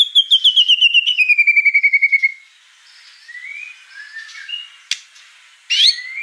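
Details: Murai song from a 2021 masteran recording: a rapid descending trill of repeated whistled notes, then faint soft phrases and a couple of sharp high notes.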